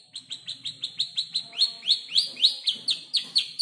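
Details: Five-month-old canary learning to arrange its song from tutor birds' voices, including ciblek, klik-klik and prenjak lumut imitations; rapid run of high rising chirps, about four per second, steady throughout.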